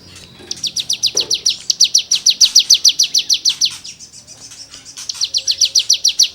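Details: Cigun in full 'gacor' song, rasping 'gesekan' material for tutoring songbirds: long rattling series of sharp, falling high notes, briefly slowing mid-way before speeding up again, with a quiet background.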